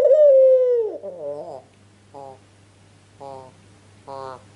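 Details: White Ringneck dove calling to lure answering birds: one long smooth coo gently falling in pitch, then a wavering note and three short, spaced nasal bursts.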